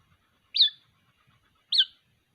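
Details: White-breasted waterhen chick calling for its mother: two short, high, sharply rising then falling chirps about one second apart, each with a slight downward tail, in otherwise quiet surroundings.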